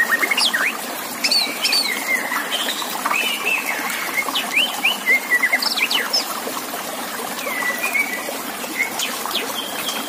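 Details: White-rumped shama singing over a constant water trickle, a contest-training track: long run of mixed whistles, sharp high upstrokes and level held notes, the phrases broken by brief pauses.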